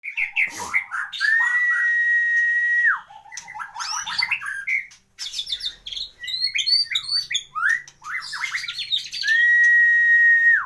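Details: Caged white-rumped shama, a prized songbird described with a full repertoire of mimicked phrases; long level whistles open and close, between them varied rapid chattering, buzzy and trilled notes.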